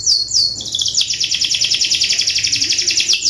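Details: Canary singing as a tutor recording meant to prompt a reluctant, non-singing canary to sing: two sweeping downslurred whistles open, then a long, even, rapid rolling trill of high repeated notes, about ten per second.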